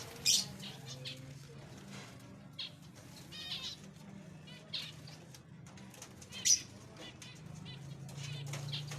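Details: Bathing zebra finches give short, nasal, toy-trumpet beeps again and again, broken by sharp bursts of splashing water and fluttering wings over a low steady hum.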